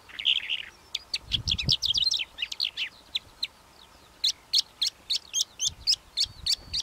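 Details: Calandra lark singing a fast, varied run of sharp chirps, short trills and high whistled notes, packed closely at first, then spaced into crisp repeated notes about three per second; a few soft low thumps early on.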